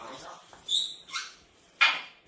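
A grey parrot gives three harsh, piercing screeches spaced about half a second apart, the last the loudest, with faint murmuring beforehand.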